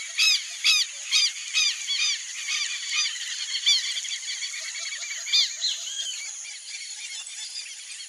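A flock of Brazilian teal gives high, nasal, whistled notes that overlap, about two a second, fading toward the end over a faint steady high insect hum.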